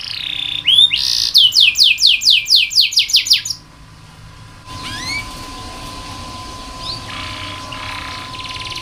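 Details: Canary song from a tutor recording meant to coax lazy canaries into singing: a loud run of about nine rapid, sweeping rising-and-falling whistled notes, then softer chirps and a fine buzzy trill over a steady background hum.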